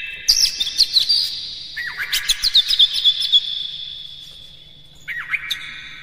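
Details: Oriental magpie-robin singing to make other magpie-robins sing, with a fast run of clipped notes and whistles, then a pause before a short falling, twisting phrase.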